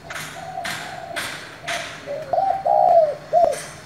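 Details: Spotted dove in the 'giọng thổ' style calling to provoke other doves: a run of dull thuds at first, then a stuttered cooing phrase with a long smooth coo and a short clipped ending.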